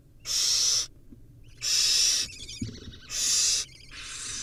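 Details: Barn owl nestlings tussling in a tug-of-war: three loud, broad hissing screeches, each about half a second, spaced evenly about every second and a half, with quieter rasping noises between them.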